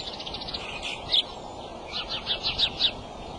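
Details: Male bald eagle at the nest on a March 23 afternoon: one sharp high chip, then a rapid rising series of four or five squeaky twittering notes, over constant broadband hiss.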